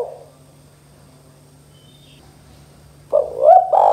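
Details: Spotted dove 'kuk 2' call after a near-silent pause: a phrase begins late with a rising note and a strong hoot, cut off before it ends, over a faint hum.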